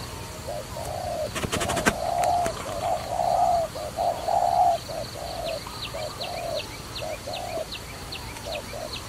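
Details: Dove used for trapping, giving low hollow coos in a run of short and drawn-out notes that swell and fade. A burst of sharp clicks comes early, and faint high chirps from another small bird repeat in the background.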